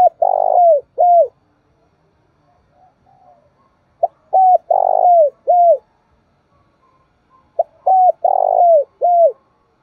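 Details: Spotted dove kept as a decoy, cooing energetically to provoke other birds. Three matching phrases about every four seconds, each of short clipped notes, a long rolling coo and a falling final note, with quiet pauses between.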